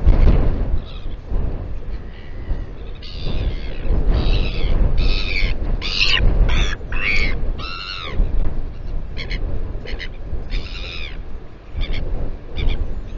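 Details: Royal albatross at the Taiaroa Head colony near Dunedin, New Zealand, on a live camera: a long, excited series of varied squealing and braying notes, some bending downward, building up and then fading, against constant wind roar.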